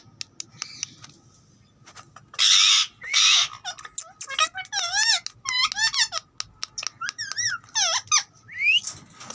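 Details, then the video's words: Pet green rose-ringed parakeet talking indoors: high squeaky speech-like syllables with wavering harmonics, bursts of harsh noisy screeches, and rapid chattering clicks across the clip. "Ringneck parrot talking"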